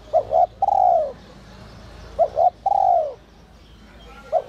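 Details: Spotted dove of the whistle-voice style used to excite wild doves: two phrases of a quick double note and a long sliding coo, a third phrase just beginning at the close.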